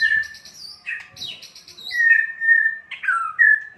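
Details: Loud white-rumped shama singing, meant to provoke other shamas: rapid high trilled notes, then long clear mellow whistles, some rising and falling, delivered in quick succession.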